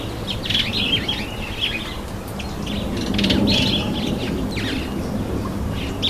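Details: Bathing red-headed finch with rapid, irregular high chirps, about three a second, over splashing and fluttering noise.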